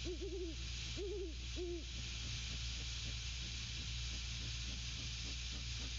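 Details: At the nest on 6 December 2022, a great horned owl pair calls to each other: three low, wavering arched hoots in the first two seconds, followed by faint softer grunts over steady hum and hiss.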